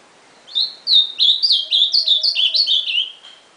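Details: Single ultramarine grosbeak song: a quick run of bright, looping whistled notes strung together over nearly three seconds, slightly descending toward the close, with a soft low steady hum faintly underneath.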